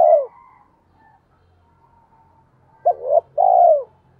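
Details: Spotted dove cooing in the 'giọng thổ' voice, a decoy call for stirring trained birds: the falling end of one phrase, a faint low hum, then a full stuttered opening and long hollow croon.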